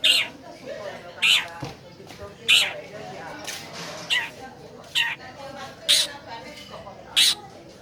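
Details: Long-tailed shrike, a recording meant to stir a caged bird that won't sing: harsh, buzzy notes repeated at uneven intervals of about one second over a faint background murmur.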